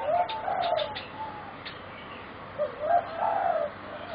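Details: Young singing zebra doves bred for song competitions, four birds aged about 3.5 to 4 months; two phrases of soft, rolling coos with slurred, dipping notes, separated by a pause of nearly two seconds, plus faint clicks.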